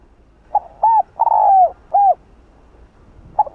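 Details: Spotted dove giving a provoking Hạp Bổi-style coo. Two short hooting notes lead into a long, sliding, falling coo, and one more short note follows. Another call starts faintly at the end. The background is quiet.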